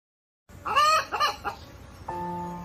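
A rooster gives a quick, broken crow in three arching, harmonic bursts, then a flat, steady musical tone takes over.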